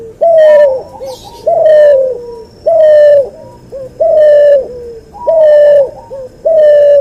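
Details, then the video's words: Cuhu, offspring of a white albino puter crossed with a puter pelung, repeating a loud, clear, level coo with a short lower tail about every 1.2 seconds, six phrases in a steady rhythm, with a faint rustle early on. "MASTERAN BURUNG CUHU HASIL SILANGAN PUTER ALBINO PUTIH VS PUTER PELUNG"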